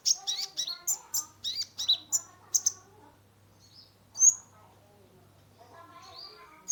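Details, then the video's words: Sunbird called kolibri ninja, caged, singing as a lure: a fast burst of high scratchy chirps and whistles for about three seconds, then quiet with one sharp high note and a soft whistle, low hum present. "Terapi pancingan konin gacor full isian mengatasi burung stress"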